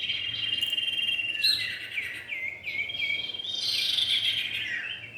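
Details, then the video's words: Male and female common iora, lure sound: a rapid string of curled, down-slurred whistles, then a denser burst of high chattering notes, with a persistent shrill drone underneath. "pikat burung cipow jantan dan betina"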